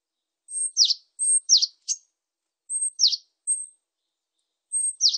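Japanese tit singing thin, very high two-note phrases: a level whistle followed by a sharp downslurred note, repeated several times over five seconds. No other sounds.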